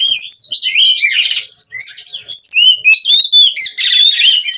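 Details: Oriental magpie-robin (kacer), a captive-bred bird from Cirebon, singing nonstop: a dense, varied run of high whistled slurs, buzzy rattles and chirps, rising and falling without pause.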